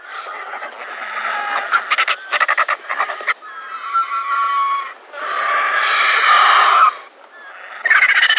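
Griffon Vulture giving harsh, rasping hisses and stuttering cackles, broken into rapid bursts and then long grating wheezes, with no other clear sounds.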